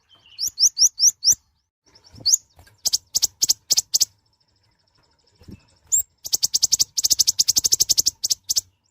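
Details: Kolibri ninja (mouse-colored sunbird), a small nectar feeder, singing loudly: four quick rising whistled slurs, scattered sharp clicks, a brief pause, then a long rapid trill of dense high ticking notes toward the end.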